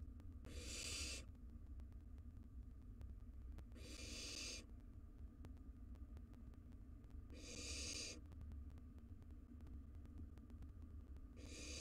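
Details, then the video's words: Sibling rivalry among wild barn owl nestlings over a mouse: harsh breathy screeches repeat about every three and a half seconds, four in total, against a quiet humming background in a nest box. "Sibling Rivalry at its Cutest - Barn Owl Nestlings Battle Over Mouse"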